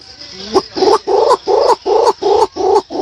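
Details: Green imperial pigeon (pergam) calls used to lure the birds to a hunting hide: a series of deep, hollow, evenly spaced notes, about six in three seconds, each with a short resonant ring.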